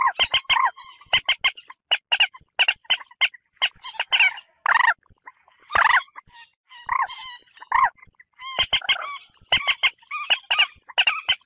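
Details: Common moorhen calling, played to attract birds for hunting: loud, harsh, clipped clucks repeated in uneven clusters, some notes longer and croaking.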